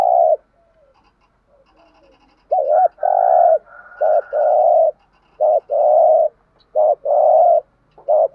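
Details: Decoy spotted dove in thúc gù calling meant to lure wild doves: after soft opening notes, a rhythmic series of loud, low coos in paired phrases, a short note then a longer hollow one, repeated about every 1.5 seconds.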